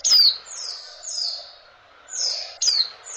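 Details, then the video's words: A female oriental white-eye mating call used to excite males: a sharp high downslurred note, then two softer falling whistles and another sharp downslur, against light hiss. "suara betina pleci, cas birahi, bikin jantan ngotot gacorr"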